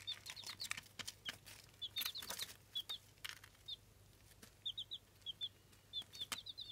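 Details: Eight-day-old Jawa Aseel chicks hatched in an incubator, giving repeated high, thin peeps in short clusters of two to four. Sharp clicks and scratching from movement interrupt the calls, and a low hum sits underneath.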